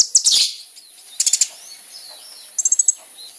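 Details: Lure recording of a lively kolibri ninja sunbird: a burst of high squeaky notes, then two short, fast trills of four to five sharp, very high ticks, separated by a pause of over a second.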